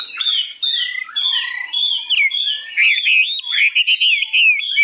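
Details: Newly arrived Hwamei, said to be 85% tame, delivers high, long-phrased song: loud clear whistled notes, some held and then sharply dropping, others rising and bending, in quick successive phrases.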